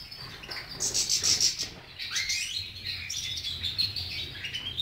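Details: European goldfinch in continuous song, rapid high twitters and chirps, a rising slurred whistle near two seconds, then more varied twittering phrases.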